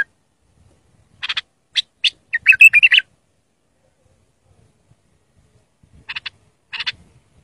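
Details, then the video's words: Song for training young bulbuls: spaced sharp clicks build to one lively warbled phrase around the middle, then quiet, then two more click bursts. "تغريد صافي يفيد اذا عندك بلابل صغار او بلبل ميغرد"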